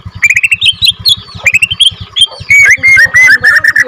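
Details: Borneo white-rumped shama of F2 captive breeding singing short bursts of fast rising chips and whistles, then longer warbled notes, over a steady low rhythmic thumping in the background.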